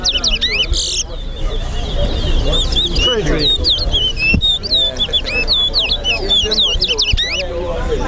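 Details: Towa towa (chestnut-bellied seed finch) competing at an all-star bird singing contest in Lusignan, Guyana: rapid high whistled phrases with hooked, looping slurs, nearly continuous, while people talk loudly nearby.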